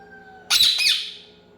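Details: Indian ringneck parakeet kept as a pet and described as very angry lets out a single loud, rasping squawk of about three-quarters of a second, harsh and noisy, fading away, over a faint low hum.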